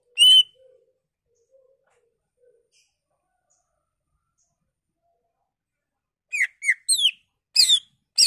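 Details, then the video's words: Greater green leafbird lure song to provoke other leafbirds, displaying its learned repertoire: one loud whistle at the start, a long near-silent gap, then a quick burst of sharp downslurred whistles and chirps near the end. "Pancingan Cucak Ijo Merangsang Cucak ijo lain"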